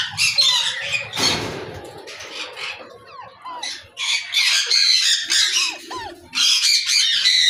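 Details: Alexandrine parakeet (pahari parrot) squawking harshly in irregular bursts, about two a second, with scattered short downward-sliding whistles; a brief broadband rustle or thump early on and quieter gaps between calls.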